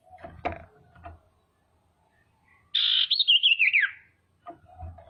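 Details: Female common iora calling to provoke rival birds into calling and agitation: one loud, fast chattering phrase that wavers and then slides downward, lasting about a second, with knocking sounds before and after.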